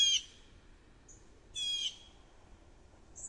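An American robin gives two harsh, squeaky bursts about a second and a half apart, with thin high notes between them over a quiet background.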